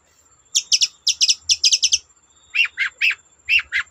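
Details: Singing long-tailed shrike meant to set untrained shrikes singing: a quick series of sharp, clipped high notes in twos and threes, followed by four lower, buzzy downslurred calls spaced about half a second apart.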